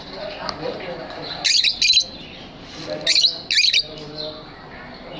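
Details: Pet lovebirds in an aviary give harsh, shrill chirping bursts in two pairs, each about half a second long, over a low background of softer chatter.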